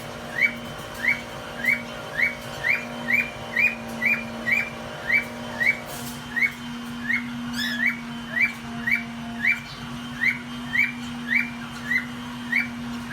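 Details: Cockatiels mating, a white-face split male and a lutino hen, with a rapid string of short, rising whistled chirps over a steady mechanical hum.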